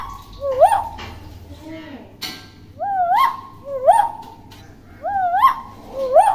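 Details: Young tame common hill myna imitating speech: a short spoken-sounding phrase, then a repeated swooping, rising whistled call about once a second, clear and loud, over faint room noise.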